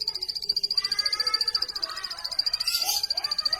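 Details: Plain prinia singing a fast, even run of high, dry notes at about three and a half per second. Warbling and chattering from other birds fills the background.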